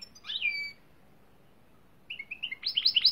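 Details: A drawn, descending nasal note from a European greenfinch, then after a pause a run of quick rising chirps building into loud twittering, against faint hiss.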